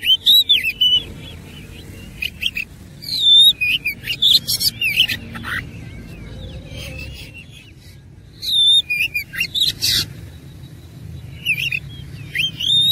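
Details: Fighting oriental magpie-robin with rich varied song; three energetic bursts of whistles, slurs and harsh chattering notes, separated by quieter gaps with only faint background sound.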